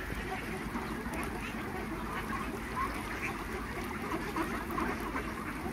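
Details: At a farm holding some 3000 Khaki Campbell ducks, the flock being fed fills the air with a thick wall of rough, overlapping quacks that rise and fall slightly but never pause.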